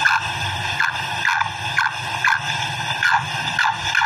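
A female black francolin gives short, slightly whining notes around every half second, over a steady background hum.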